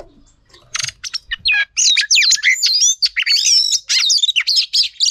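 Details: Female Oriental magpie-robin song used for training males, beginning after a quiet second with rapid varied whistles, trills and twisting slurred notes that run on almost continuously.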